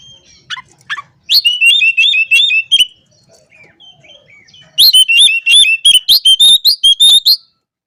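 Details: Oriental magpie-robin delivering ngobra song, used to call out rival birds. Two loud runs of rapid, bright, repeated whistled chirps, separated by a quiet stretch of faint warbling.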